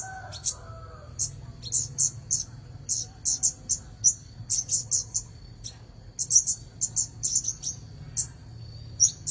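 A red-headed bunting delivers bright, high chips in quick, uneven bursts, several per second, over a steady thin high whine and a low background rumble.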